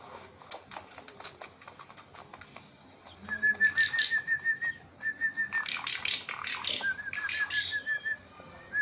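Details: Tame Javan pied starling singing actively: a steady run of clicking ticks, then bright whistled notes repeated rapidly in short rows, broken by rough harsh bursts and more whistle runs.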